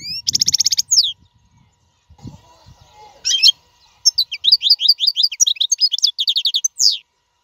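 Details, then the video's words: European goldfinch song, played to teach caged young birds to sing: fast liquid twittering bursts high in pitch, a rapid trill of repeated notes, a pause with faint low knocks, then a dense run of chirping syllables. "اقوى تغريد الحسون. لتعليم فراخ القفص"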